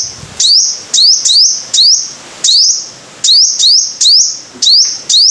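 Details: Sunbird of the five-coloured kind on a lure track: crisp repeated high phrases, each a fast rising slur held as a shimmering whistle. The phrases arrive about every half second in a steady, insistent run.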